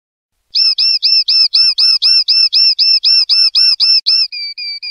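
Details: Common linnet singing in the clean 'pardillo limpio' style, from a 2025/2026 song CD: after a brief silence, a long series of bright hooked notes repeated about four times a second, ending in a few softer level whistles.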